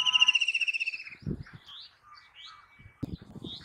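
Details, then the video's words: A white-throated kingfisher (Halcyon smyrnensis) gives a shrill, fast whinnying trill that drops slightly in pitch over about a second, followed by faint chirps and low knocks. "Call Of White-Throated Kingfisher Bird"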